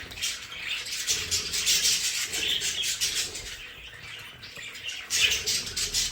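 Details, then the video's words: Pet budgerigars in their home play area, a flock chattering continuously with dense, high, scratchy warbles and chirps that swell and fade, busiest near the start and again in the final second. "Sonidos de periquitos Australianos"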